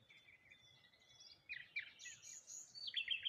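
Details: Several birds in the morning near water, rose hips and a lone tree, giving soft twitters at first, then a denser jumble of high, overlapping chirps toward the end.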